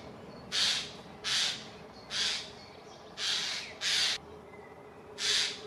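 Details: Six harsh, rasping Eurasian jay screeches, each about half a second long, at uneven intervals of roughly a second, as jays mob an eagle owl until it flees, in Dannenberg (Elbe), Germany, 31 May 2024, over faint hiss.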